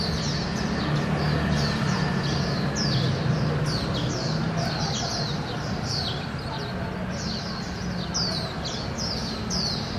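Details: Japanese white-eye family foraging for small insects in a thicket, recorded on a Canon PowerShot SX700HS: a chattering stream of short, thin, high descending chips, several per second, over steady low rumbling background noise.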